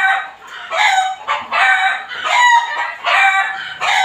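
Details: Neighbour's backyard chickens heard daily and hourly, even at night: loud harmonic squawking calls in bursts about every half second to second, overlapping, some drawn out, raspy, no other clear sounds.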